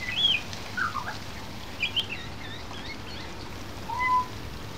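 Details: Pied butcherbird perched on a fence under a verandah in the rain, mimicking learned sounds: quick looping whistles and chirps, then a longer smooth slurred note, with constant rain hiss behind.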